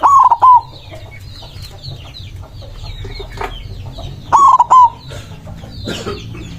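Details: Singing white zebra dove, heard as a big-voiced challenge to rival birds. A clipped, stuttering coo opens the passage and another follows about four seconds later, with high twittering of other birds between them.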